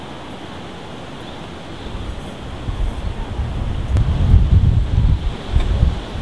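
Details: Outdoor wind buffeting the microphone, building into heavy low rumbling gusts in the second half, with no animal calls heard.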